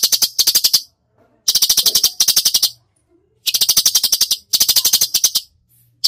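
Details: Masteran song of a cucak cungkok, in the 'tembakan' style. It gives short volleys of rapid, harsh clicking notes, roughly four per second. The volleys come in pairs, separated by pauses of about a second.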